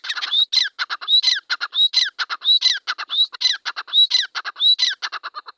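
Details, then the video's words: A pair of grey francolins (teetar) in a field gives loud, harsh, rhythmic calls: clusters of sharp clipped notes, each with a rising whistled note, repeated about every 0.7 seconds without pause. "Teetar Ki Awaaz | Teetar ka Pair | Teetar sound in beautiful field."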